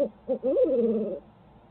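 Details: Midtown Tulsa barred owl on a live feed: two short hoots, then a loud, drawn-out hoot that rises briefly and falls into a long, sliding, wavering moan lasting over half a second.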